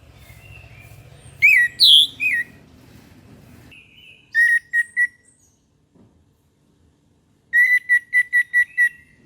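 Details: Orange-headed thrush singing in the morning: a few varied, sweeping whistled notes, a short cluster of sharp notes, then a rapid run of six or seven evenly repeated clear whistles, over a low background hum.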